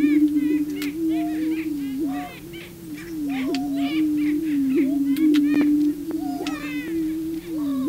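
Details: On the booming grounds, male prairie chickens try to win a female. The low droning boom continues beneath busy repeated cackles and yelping whoops, several per second, plus scattered sharp camera clicks.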